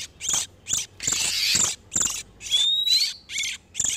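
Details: Oriental magpie-robins, male and female in breeding condition, as a lure for wild birds: choppy harsh notes and a long scratchy burst, then a smooth rising whistle.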